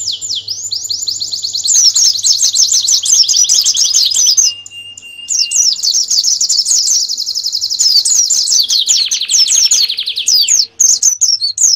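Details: Canary master song for training birds for a national contest: long unbroken rolling trills and fast warbles, a brief thin steady whistle near the middle, then more dense trilling that shifts lower before the end.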